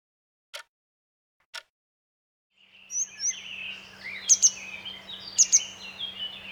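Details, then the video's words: Grey wagtail, a bird of fast-flowing mountain streams, giving sharp, high metallic double notes and short whistles over the steady rush of water, after two isolated clicks and a quiet opening. "Bird Alarm Clock: Grey Wagtail"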